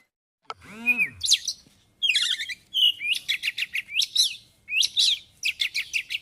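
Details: White-rumped shama in full ngobra song packed with isian phrases: a sliding whistled note drops into sharp, varied chirps and rapid high scratchy bursts, repeated in quick bouts.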